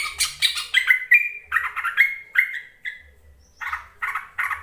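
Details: Yellow-vented bulbul calls for luring lazy bulbuls to sing: a dense, lively series of harsh, bubbly chirps and squawky notes, then a pause and three husky repeated notes.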